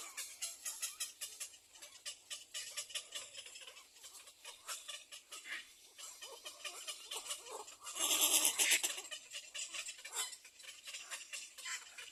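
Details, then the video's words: Little egret chicks demanding food from their mother at the nest: fast, dry, ticking chatter running continuously, broken by one loud harsh outburst near the end. "BABY LITTLE EGRE REQUIRES MOTHER TO FEED"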